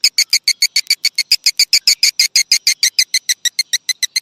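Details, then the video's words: Lure call used to make swiftlets settle for the night, called raja birahi: a tight, regular train of sharp metallic chirps, about five each second, loud and clear with nothing else behind. "suara panggil burung walet untuk mengginap kan"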